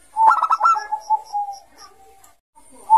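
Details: Ngayer song of a Bangkok zebra dove, used as a lure for young doves: a quick rattled burst of clipped notes slides into a long, steady, fading coo, with another coo starting at the end.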